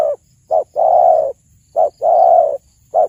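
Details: Spotted dove song intended to lure birds for hunting: a rhythmic pattern of a short coo followed by a longer sustained low coo, repeated three times with brief pauses between.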